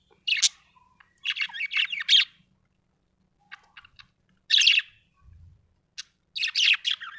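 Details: Happy budgerigar twittering: a sharp chirp, then a run of quick warbled notes, a pause with faint ticks, another strong chirp and a closing chattering phrase, in a quiet room.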